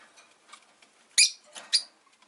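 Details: Five caged rosy-faced lovebirds beside a window on a calm afternoon give a loud, harsh, high chirp followed by two softer chirps, over faint rustling.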